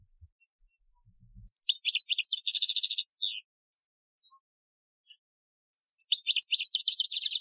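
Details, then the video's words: European goldfinch singing an Algerian-style training song, recorded in 2015: two bursts of fast, high twittering trills with dense repeated notes, the first ending in a descending slur, separated by a few faint isolated chips. "Chardonneret Chant Algerien 2015 , chant de dressage"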